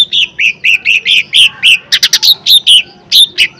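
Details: Lesser green leafbird in a lure recording of forceful song to provoke other birds: a continuous series of loud, bright chirped whistles, about four per second, with a few sharp clicking notes in the middle.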